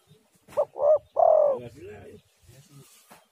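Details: Spotted dove calling as a lure to make other doves respond: a short note, a rounded coo and a long rolling descending coo, trailed by a softer, lower falling note and faint rustles.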